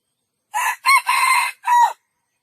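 A junglefowl gives one loud, hoarse crow of four quick phrases, with a long middle note and a falling final syllable, lasting under two seconds.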